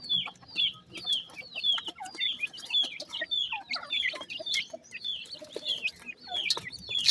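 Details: Baby grey francolins busy feeding, a steady stream of high, sharp downward-sliding cheeps, roughly two each second, with soft clicks and rustling underneath.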